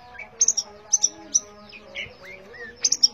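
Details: Long-tailed shrike singing briefly: a few sharp, high doubled chips separated by soft slurred whistles that rise and fall, with a low steady hum beneath.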